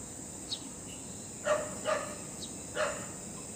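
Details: Great hornbill from Assam, India, giving three separate hoarse, barking notes spaced well apart against a background hiss, with a few faint higher sounds between them.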